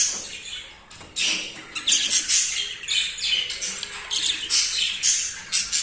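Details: Male budgerigar, very excited and mating with a female for the first time, pours out a dense, continuous high chattering warble of squeaks, clicks and rapid chirps without pause.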